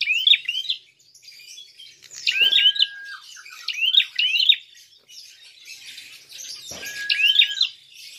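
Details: Prinia calling aggressively to provoke rival birds: loud high twisted chirp phrases roughly every second and a half, two long flat lower whistles with soft thumps, faint buzzy ticking between.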